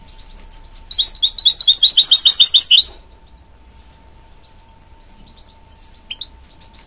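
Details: Goldfinch-canary hybrid (goldfinch mule) gives a bright, rapid twittering song of trilled and chirping notes for about three seconds, then quiet with a few scattered high chirps; a faint steady hum underneath.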